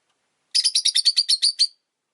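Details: Pet Rosy-faced lovebird giving a rapid run of about ten sharp, high chirps over roughly a second, evenly spaced and slightly harsh, with no other clear sounds.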